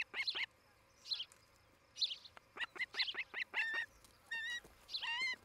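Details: Ospreys nesting in Charlo, Montana, filmed by a 2018 morning nest cam; irregular sharp chirps mixed with longer, wavering whistled calls and quick slurred notes.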